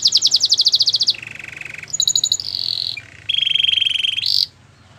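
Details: Canary training song from a white bird. A fast high trill of clipped notes leads into alternating low buzzy rolls and sustained whistled trills, with brief pauses between tours.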